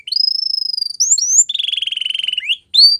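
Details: Canary song with a long steady whistled note pulsed rapidly, short upslurred chirps, then a lower fast rolling trill and a final rising whistle; clean recording with no other sounds.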